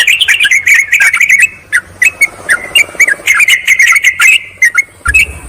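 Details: Yellow-vented bulbul calls used as a lure to summon rivals and wild birds; quick bubbling chatter at first, then spaced single chirps with soft background hiss, ending in a brief low thud.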